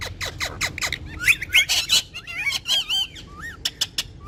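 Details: Pet ringneck parrots, said to speak Urdu, chattering with each other: dry clicks and ticks followed by a string of squeaky, warbling, up-and-down whistles and short squawks.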